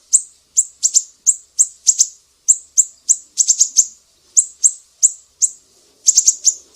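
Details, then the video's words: Sumatran mangrove whistler singing 'besetan' style for training songbirds: steady shrill high-pitched chips about three per second, with quick rattling clusters in the middle and at the end. "SIRI SIRI SUMATRA, BESETAN PEDIH"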